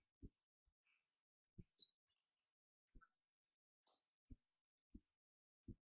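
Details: Begging from two hand-reared hawfinch chicks aged twelve days, fed by hand on 4 May 2014 after their foster hen left them: scattered piercing high chirps and squeaks among regular low tapping sounds.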